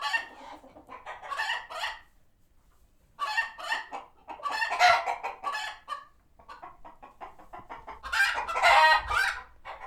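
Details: Chickens on a farm sanctuary reacting to a hawk, alert and retreating to their coops; rapid stuttering clucks in groups with quiet spells between, ending in a loud extended squawk.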